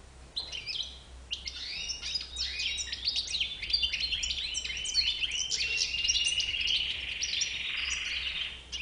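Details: White-bearded European goldfinch starting with scattered chirps, then breaking into a fast twittering song with tinkling notes and a long buzzy, wheezy trill near the end, over a faint low hum.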